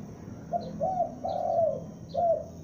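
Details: Young spotted dove used as a lure, calling loudly: four low coos, short, short, long and short, with faint high chirps in the background.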